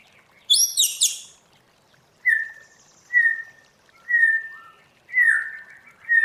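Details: White-rumped shama being trained in the 'forest voice' song style: a sharp high buzzy burst, then drawn-out whistled notes slurring downward, spaced about a second apart, in a quiet setting.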